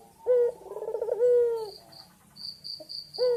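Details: Male white dove calling to a female, in energetic full voice: low, smooth tonal coos, one broken into a rapid rolling pulse, then a final coo. Thin high steady tones sound between the coos.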